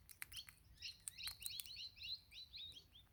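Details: Wild crimson rosella (Platycercus elegans) that visits almost every morning, calling as if asking for food and taking sunflower seeds from a hand, chattering in quick, high, overlapping chirps and twitters with a few sharp clicks.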